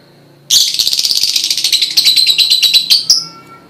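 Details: Lovebird prompting song for other lovebirds: one unbroken, fast, buzzy chattering trill of about two and a half seconds, pulsing rapidly and ending in a higher note.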